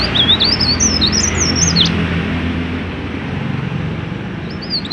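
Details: Singing mountain leaf warbler meant to draw other leaf warblers into song: a fast, high-pitched chain of zigzag whistles for about two seconds, a pause, then the start of another phrase, over a low rumbling background.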